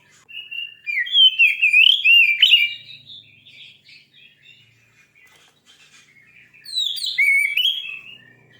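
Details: Oriental magpie-robin, described as among the fiercest singers, delivering loud rich whistled phrases. A stretch of quiet twittering follows before another bright, swooping burst.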